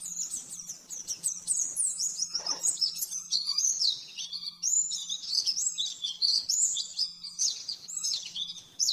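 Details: Oriental white-eye singing a fast 'nembak-nembak' training song for caged birds: an unbroken stream of high, sharp twitters and trills that rise and fall quickly, over a soft steady low hum.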